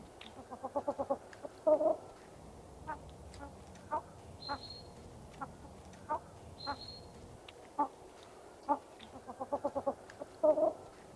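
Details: Common pheasant making a series of short, clipped clucking notes in uneven runs, with two louder, fuller double notes near the start and end, over a quiet background with brief high whistles.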